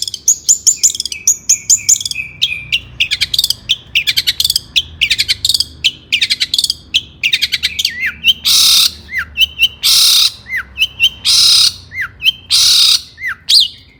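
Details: Excited long-tailed shrike song meant to stir other shrikes to sing: rapid twittering chirps and scratchy clusters, followed by loud harsh rasping bursts roughly every second, each ending in a falling note.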